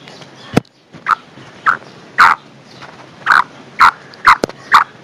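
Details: Female black francolin calling, a sound said to draw wild males to it: a series of short, harsh, burst-like notes, eight or so in five seconds, spaced unevenly, with one sharp click-like sound standing apart.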